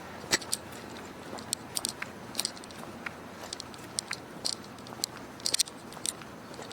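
Sharp crackling clicks and crunching pops sound at irregular moments over a low steady background hum, with no animal voice heard.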